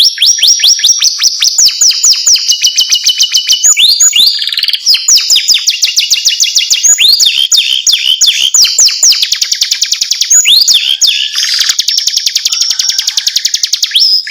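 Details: A caged canary delivers jerit-jerit, or screaming, song: long, shrill rolling trills alternating with fast runs of rising whistles and buzzy rattles, sustained and very loud throughout.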